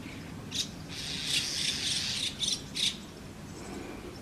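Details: White-cheeked starling at a nest with chicks: a short sequence of rasping, noisy bursts, several quick separate notes, then a longer scratchy squawk, with steady low background hum.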